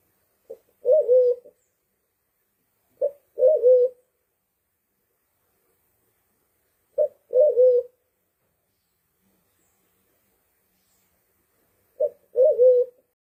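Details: Sulawesi black pigeon lure call: a clipped low note followed by a drawn-out moaning coo, repeated four times at uneven gaps of roughly three to five seconds, with silence between.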